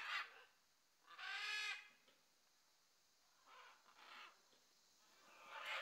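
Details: Juvenile great green macaws in a pre-release flock, foraging together at mealtime, give harsh, raspy squawks, about five over six seconds, irregularly spaced. One is long and grating, the others are short bursts, with quiet gaps between.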